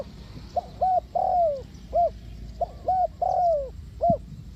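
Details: Spotted dove, a cu gáy from Ninh Thuận, calling as a lure for trapping doves: low hollow coos in short groups, some notes drawn out and sliding downward, with a steady faint background hiss.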